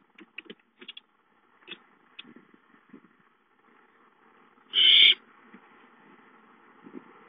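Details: An owlet in the nest, on 5-9-13, lets out one loud, raspy, hissing screech lasting about half a second. Soft scratching and tapping sounds come before it.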